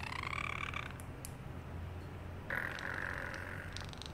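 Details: Caged pet parrotlet imitating a cat's meow: two drawn-out, nasal, harmonic calls, the first about a second long, the second longer and steadier, with a couple of faint clicks in between over a low indoor hum.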